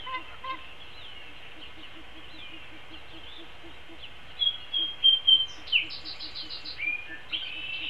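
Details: Long-eared owl feeding its chick a whole vole at the nest, filmed on a live nest cam on 13 April 2016; thin, high squeaky notes, sliding whistles and a quick burst of rapid high pulses over a faint steady ticking.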